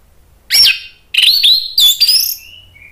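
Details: Orange-headed thrush, agitated and singing to provoke other birds: a loud looping whistle, then a burst of rich, intense whistled and harsh notes, trailing off into a thin soft whistle.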